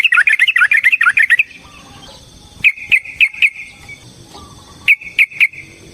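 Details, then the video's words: Provoking fighting song of a yellow-vented bulbul: an opening run of fast, bubbly chattering notes lasting over a second, followed by scattered single sharp chirps and small clusters of two or three. "Suara Burung TRUCUKAN gacor TARUNG ROPEL PANJANG pancingan trucukan agar JADI trucuk gacor EMOSI"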